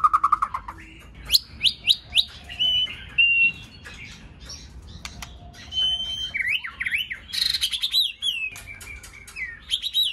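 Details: White-rumped shama, kept for song training and singing in many voices, gives a varied run of clear whistles, rising slurred notes and sharp chips, some phrases held and warbled, others quick and broken.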